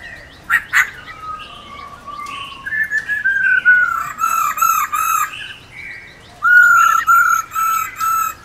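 Black-throated laughingthrush female giving long, rolling, slightly wavering notes, sustained and repeated, after a few sharp clicks at the start.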